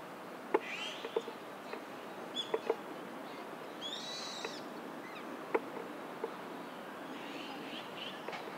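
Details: Japanese pygmy woodpecker excavating its nest, recorded on an OM-1 camera with an external Sennheiser MKE-400 II microphone: scattered sharp taps of wood being chiselled, a short buzzy call mid-way, fainter calls near the end, over steady hiss.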